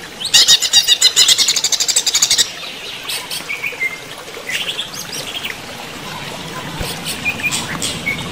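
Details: Greater green leafbird in running-water therapy: a loud rapid chattering trill lasting about two seconds, then quieter scattered whistles and faint notes.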